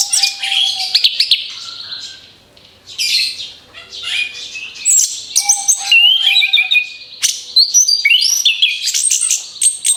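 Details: Long bout of orange-headed thrush song used to lure other birds, with rapid twittering bursts, high sweeping whistles and scratchy notes, briefly quieter in the middle before resuming loudly.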